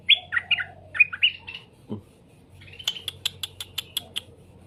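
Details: Straw-headed bulbul song played to make other birds answer: bright warbled phrases sliding up and down in quick bursts, then a run of sharp, evenly spaced clicking chips, with a low hum beneath.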